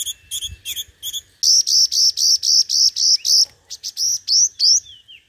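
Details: A five-colored sunbird decoy bird sings competitively. Short thin ticking notes lead into a fast, even series of a dozen loud, high, piercing notes, ending in upslurred notes and a fading slur.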